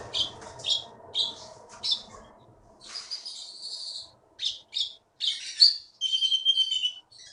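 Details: Wild-caught Keety (konin) from Bangka forest, a prize-winning songbird, sings a rhythmic run of sharp high chirps, then a burst of buzzy notes and a clear sustained whistled trill.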